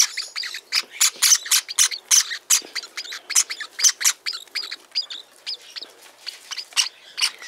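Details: Several hand-reared Java sparrow chicks of various colours (white, sakura, silver), being fed at night, chatter at once in rapid, high, scratchy peeps and squeaks, overlapping in busy bursts with hardly a pause.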